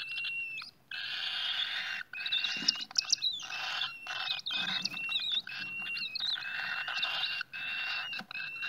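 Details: Cockatiels at the nest making continuous harsh, raspy hissing calls in long bursts broken by short silences, with a thin whistled tone running through them.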